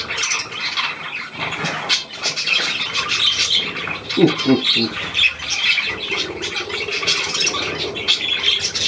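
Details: New hand-tame Australian pied budgerigar on 17 February 2023 keeps up a continuous high scratchy chatter; a brief low human voice sounds partway through.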